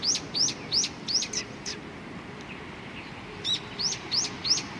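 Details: Sparrows, 15 October 2018, chirping in two bouts: a brisk series of high, rising chirps, a pause with faint notes, then another even run of four or five similar chirps, about three per second.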